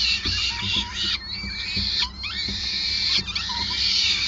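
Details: Peregrine falcons at a Groningen nest during feeding, 5 May 2020, giving grating screeches mixed with thinner whistled notes and soft ticking sounds beneath.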